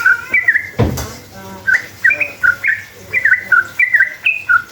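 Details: Sooty-headed bulbul singing a long rapid 'ropel' lure meant to stir other bulbuls into answering: a loud thump early on, then chirpy whistled phrases bouncing between high and lower notes.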